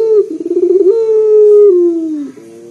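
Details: Loud bassy coo of a local Barbary dove, used as a lure to set other doves calling: a rapid tremulous stutter that swells into one long, steady, low hoot, falling slightly before a brief soft trailing note.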